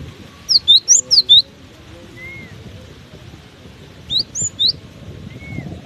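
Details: Cinereous tit singing in strong wind: a fast string of five high, curling whistles, then after a pause three more, set against a continuous low blustery rush.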